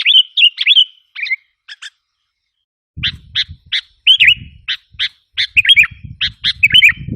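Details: Sooty-headed bulbul lure call used to provoke wild bulbuls: short sharp chirps and slurred warbled notes around mid-high pitch, in bursts with a pause near two seconds, low thumping knocks underneath in the second half.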